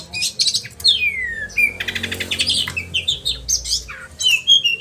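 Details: Sharp, varied song of an oriental magpie-robin, 'roll' style with 'tembakan' shots, meant for training caged birds: high buzzy notes, a long falling whistle, a dense rattling trill, then scattered chirps and whistles.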